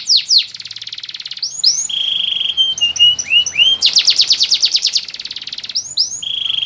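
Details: A male yellow Abyssinian canary alternates level held whistles with rising slurs and a fast rhythmic trill of repeated notes.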